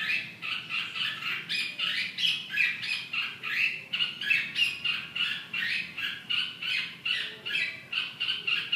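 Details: Red-whiskered bulbul calling in a burst of short, harsh, chattering notes repeated several times a second, bright and squawky, over a faint steady background hiss.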